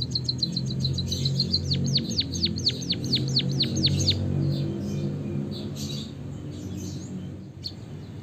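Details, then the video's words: Javanese white-headed munia with canary-style song, played to stimulate other birds to sing: a fast high trill of down-slurred notes lasting about four seconds over a steady low droning background, then scattered faint chirps. "suara burung emprit peking bondol kaji gacor isian kenari ngeroll panjang untuk masteran"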